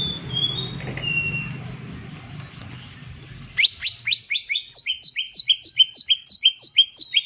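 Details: Green leafbird, a bird prepared for contest hanging, in the 'tembakan' shooting style used as bait: a few thin whistles over low noise, then a long, fast, even series of about twenty sharp rising notes.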